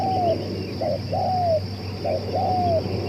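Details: Spotted dove said to coo for two hours, suitable as a decoy: quieter rounds of a short coo followed by a long, thin falling note, three phrases over a noisy humming background.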